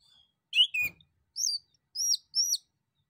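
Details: Male orange-headed thrush song used as a lure to draw answers from the same species and other birds: a sharp two-part chirp, then three short, high, downslurred whistled notes spaced about half a second apart.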